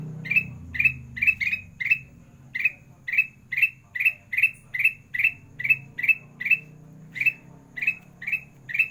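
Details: Kutilang emas, a sooty-headed bulbul, singing gacor in the sandang garigit style, used as a master for lazy singers: quick bright chirps repeated steadily, a few doubled, with a brief gap near the end, over a low rumbling background.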